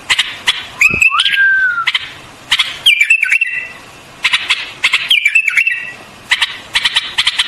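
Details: White-eared bulbul giving fluty whistled phrases, one falling glide near the start, then repeated chirpy bursts with crisp ticks about every second.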